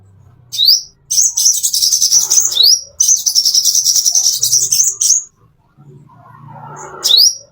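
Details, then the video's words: Plain-throated sunbird, a master song for training caged birds: upward-sweeping high whistles lead into fast, dense, buzzy twittering runs lasting about two seconds each, followed by a soft lower rustle and another sweep. "masteran konin isian mewah"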